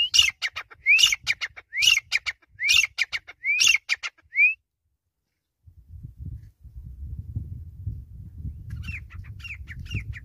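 Grey francolin giving five loud, ringing, upslurred notes about once a second, then a pause of low rumbling noise before fainter calls resume.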